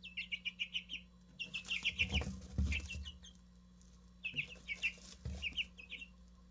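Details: Newly hatched Easter Egger chicks, three of them, peeping in rapid runs of short high chirps that dip in pitch, about eight in quick succession, then more bursts after a pause; low thumps and handling noise underneath.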